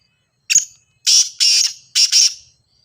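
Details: Grey francolin (teetar) call for prompting other francolins to sing: a short sharp note followed by two loud, raspy, buzzy double bursts spaced about half a second apart.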